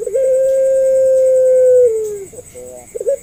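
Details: A single long, even coo from a Barbary dove in the pelung style, used as a lure for doves slow to call, held steadily then gliding down at the end, with a few quick short notes after.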